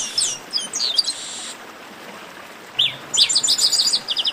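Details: Short 'baderna' chorus of chestnut-capped blackbirds for warming up singers: twittering slurred whistles at first, a silent gap, then a fast series of sharp repeated chirps.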